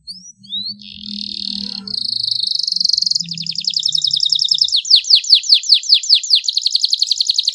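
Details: Canary song from a long masteran recording in spicy tembakan style with rich cengkok: a few chirps over a low hum, a buzzy trill, then a fast rattling roll that becomes repeated sharp downswept notes.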